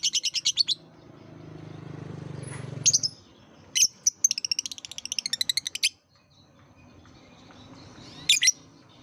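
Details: Lovebird chatter meant to lure young birds learning to sing: bursts of rapid, high, buzzy twittering broken by sharp squeaks, with a soft low rumble early on.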